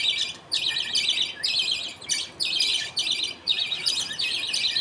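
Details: Budgerigars at feeding time, the father feeding two baby budgies as others wait; about six buzzy, rasping high bursts in quick succession, fairly evenly spaced.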